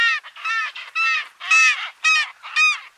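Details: South polar skua on Penguin Island, Antarctica, in February 2022, gives loud, harsh, nasal calls in quick bursts, about two each second, with a slightly rising and falling tone; no other sounds.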